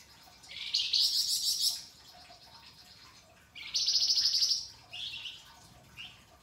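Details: Energetic pied triller in a masteran tutor recording, rough rasping with crystal-sharp notes: two grating buzzy phrases of about a second each, then short rasps, all high-pitched and separated by brief pauses.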